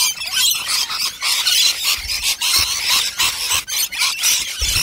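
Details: Wild native rainbow lorikeets gathered in huge numbers at a nectar feed, recorded close up: a dense, continuous wash of harsh, high screeching chatter from many birds at once, with brief dips between bursts.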